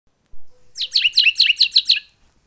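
A Canyon Towhee sings a quick run of about seven bright, sharp chip notes, roughly six per second. The setting is otherwise quiet.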